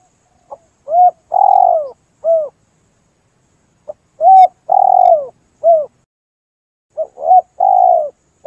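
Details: Lure call of a spotted dove for trapping birds: repeated three-part cooing phrases, a brief note then a long slurred descending coo and a short closing note, cleanly recorded with no other sounds.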